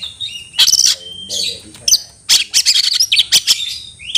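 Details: Oriental magpie-robin in an aggressive state, searching for a rival. Clear whistles lead into bursts of sharp, rapid, high notes and a quick series of emphatic chips, with a faint steady high tone behind.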